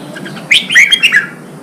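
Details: ['Newly caught red-whiskered bulbul being stimulated to sing for contest training; a single short, clear phrase of three or four mellow whistled notes, slurred and falling.']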